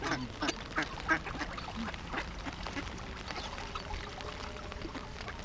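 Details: A flock of some fifty hungry ducks: scattered loud quacks early on, fading into softer, sparser calling over steady background noise.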